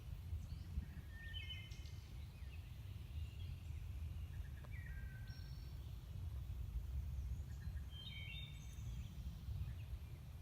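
Hermit thrush song: a few faint, flute-like phrases, each opening on a held note and shifting pitch, spaced a couple of seconds apart over a steady low rumble.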